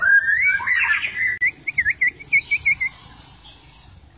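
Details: White-rumped shama lure song for rousing other shamas: a warbled whistled phrase followed by a series of about eight short, looping whistled notes, fading away.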